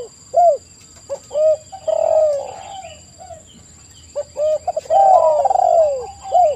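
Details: Spotted dove (tekukur) singing, a recording meant as a lure to make other doves answer. Mellow, mid-pitched cooing phrases: short bent coos, then a longer drawn, wavering coo. The phrase returns after about four seconds over a faint steady hum.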